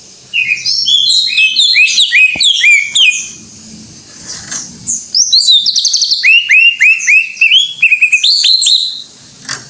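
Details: Greater green leafbird in long, full 'gacor' song: rapid tumbling chips and warbles, a short softer stretch, then trilled rattles and a series of crisp, descending whistled notes.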